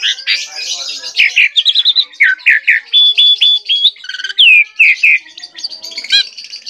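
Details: Gacor singing by an Asian pied starling (jalak suren): a long, varied medley of rapid chirps, buzzy rattles and a few pure held whistles, delivered almost without pause.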